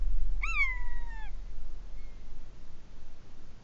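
A buzzard gives one drawn-out, cat-like mewing call that jumps up, then slides down over almost a second, over a steady low rumble of wind.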